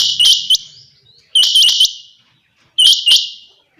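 A female quail gives loud, harsh, high chirping bursts of two or three quick notes, repeated about every one and a half seconds.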